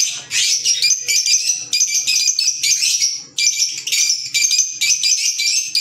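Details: Pet green Fischer's lovebirds chattering almost continuously, dense high shrill squeaky notes in rapid overlapping bursts with only short breaks.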